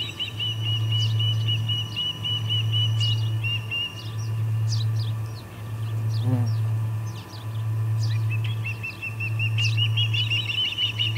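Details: At the Charlo P2 osprey nest, August 21, 2020, late afternoon, three ospreys about, one flapping and one flying: rapid whistled chirp series at the start and again near the end, separated by fainter sweeping notes, over a pulsing low hum.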